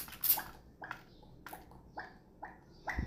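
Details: A pet parrot imitates the sound of falling water with six short, hollow plops about every half second, under soft room noise.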